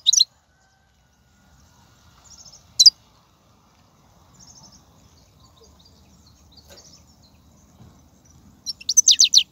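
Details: ['Wild European goldfinch song from 2019, played to prompt caged goldfinches: brief sharp chirps near the start and middle, faint soft twitters between, and a closing run of quick high notes over low background noise.']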